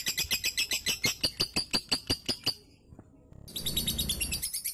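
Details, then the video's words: Lovebird singing, a recording used as a lure to prompt a lazy lovebird into ngunci singing: a quick, even run of sharp high chirps, about fourteen in three seconds, a brief hush, then a denser burst of chatter. "PANCINGAN LOVEBIRD MALAS NGUNCI"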